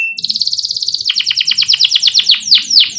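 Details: A canary's chattering song meant to encourage young birds to start singing: a thin high note, then a rapid trill that slows into separate sharp downswept chips, over a faint low murmur.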